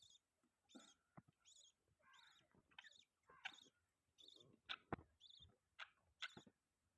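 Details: Budgerigars chirping: short, harsh, harmonic chirps and scratchy warbled notes in irregular bursts with brief pauses, a few sharp clicks between, the whole recording quiet.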